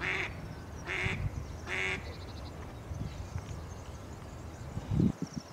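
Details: Mallard giving three loud, nasal, evenly spaced quacks in the first two seconds, then quieter background with a low thump near the end.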